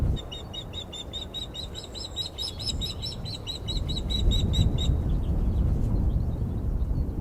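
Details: An unringed male osprey on the Glaslyn nest perch upsets the resident female, 14 April; her call is a fast, insistent string of shrill chirps, roughly four a second, for five seconds, then wind noise alone.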